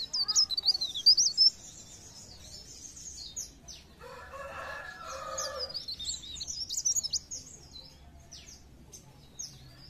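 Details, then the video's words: Pare pare bird singing, used to stimulate other birds to sing: bursts of fast, high, thin twittering that pause, then resume, while a rooster crows loudly in the middle. "Pancingan bunyi ampuh burung pare pare"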